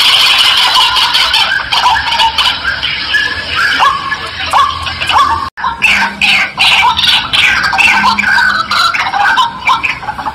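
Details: Lure recording of a white-breasted waterhen for attracting wild birds: a long run of loud, raucous, ringing notes, each rising slightly, repeated in quick succession with a brief break midway, then resuming more choppily.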